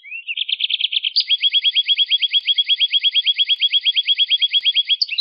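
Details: Canary delivering a rolling song meant to prompt other birds to sing: a short rising lead-in, a quick trill, then a long even run of about five sharp chirps per second at high pitch.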